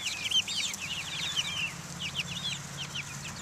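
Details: Several chicks of Buff Orpington, Black Australorp and Americana breeds out in the open air in 2010, giving constant high, thin peeping calls, many short downslurred cheeps overlapping, with a low hum beneath.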